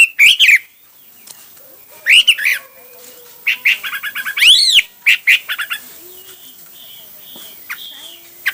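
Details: Hwamei song with bursts of ringing slurred whistles and a rapid repeated trill, followed by quieter soft drawn-out whistles and a faint background hum.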